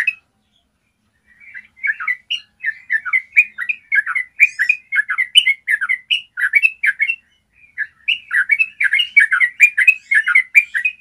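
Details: Yellow-vented bulbul in full long trill, a tutor song for training other bulbuls to sing: after a second of quiet, a dense, rapid chattering of liquid warbled notes runs for several seconds, briefly pauses, then resumes just as fast.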